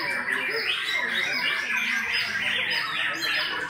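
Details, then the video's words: White-rumped shama, described as top class, pouring out loud continuous song of rapid sweeping whistles and chattering notes that rise and fall, with a dense overlapping texture throughout. "MURAI BATU KELAS UTAMA"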